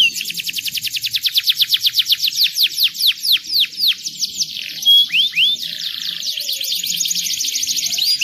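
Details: Canary song used to stimulate young canaries to sing: rapid regular trills of descending sweeping notes about four per second, shifting into a dense buzzing roll, with a few clear whistles between.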